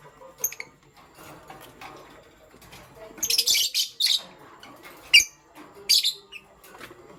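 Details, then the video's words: Pastel gray and green lovebirds chirping in the morning, indoors; shrill, high-pitched squeaky chirps come in a dense burst of several notes, then single sharp chirps about a second apart. "Pastel Gray LoveBird Chirping Sound"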